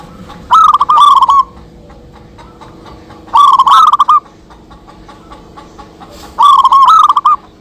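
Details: Lively local zebra doves answering each other, recorded for luring: three evenly spaced phrases of rapid, bubbling coos roughly every three seconds, each a short stuttering run of notes with quiet background between.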